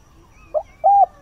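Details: Spotted dove decoy at first light, calling to attract wild doves: a brief low note then a sustained even coo, ending as another note begins.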